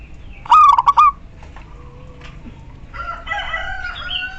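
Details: Female zebra dove calling to males, used as a lure to make silent males sing, gives a quick burst of four or five short, mellow cooing notes at a steady pitch, followed by fainter, rougher calls from another bird.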